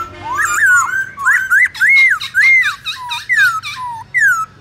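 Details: Song of a Black-throated laughingthrush in the wild style (giọng rừng) used to train young birds: a fast series of loud arched whistles, rising then falling, packed closely with brief pauses.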